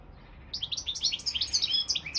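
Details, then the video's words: Goldfinch of the Balkan subspecies singing for a world song championship, delivering a fast run of liquid, twittering chirps after a brief silence. "World Championship in Goldfinch Song"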